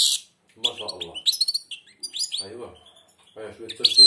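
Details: Caged European goldfinch, blind, singing with nearly closed beak: quick twittering phrases and chirps mixed with a man's encouraging voice underneath throughout.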